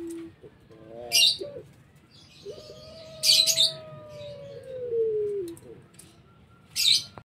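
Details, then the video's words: Pelung-type collared dove in whimpering pelog voice: a brief low note and a quavering phrase, then a long smooth descending coo, with sharp high chirps from other small birds at intervals. "puter pelung merintih ,/ suara pelog"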